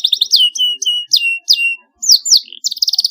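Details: Canary chirping to help young birds learn to sing: clear, sharp downward-sliding high notes repeated in quick succession, ending in a short rapid trill.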